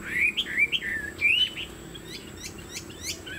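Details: Captive Chinese hwamei, a spread-tailed bird of tall build kept by bird hobbyists, gives a short run of clear rising and falling whistles, followed by softer, sharp chip notes.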